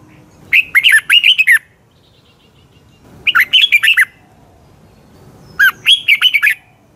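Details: Red-whiskered bulbul singing in the morning, recorded as decoy song to train other birds: three compact phrases of fast, rolling whistled notes, each about a second long, spaced roughly every two and a half seconds.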